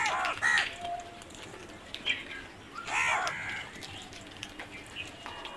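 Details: Crows utter a few hoarse caws in small clusters with pauses between them, over a noisy outdoor background.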